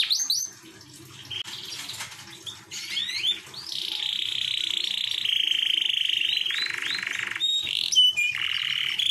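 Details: Canary song meant to lure a female: after a quieter start with scattered chirps, a long steady rolling trill builds and holds, ending with short upward-swept notes and another sustained trill.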